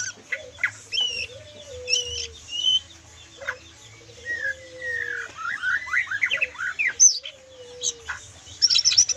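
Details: White-rumped shama delivering a lepas trotol song with full kriwikan: clear high whistles and clipped notes, then a fast run of swooping, varied twitters and sharp chips at the end, with a low drawn-out tone recurring in the background.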